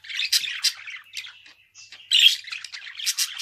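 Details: Budgerigar in fast, busy chatter: rasping warbled notes punctuated by sharp, loud squawks, with one short lull partway through.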